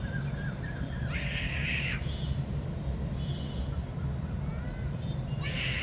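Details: Male Indian peafowl dancing for a peahen in the rainy season: two loud, harsh, nasal calls, each about a second long, separated by several seconds, over a constant deep rumbling background with faint thin chirps between.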